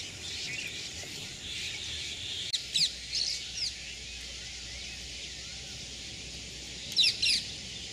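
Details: Yellow-vented bulbul (Pycnonotus goiavier) in Sri Lanka calling: two short bursts of bright, chattering chirps about four seconds apart, over a steady high hiss of insects.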